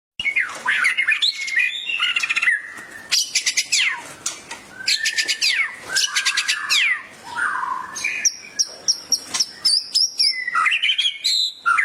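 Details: White-rumped shama singing in excited gacor emosi style while hearing a training recording: loud varied phrases mixing slurred whistles, dense bursts of sharp clicking notes and rapid high chatter, with short pauses between outbursts.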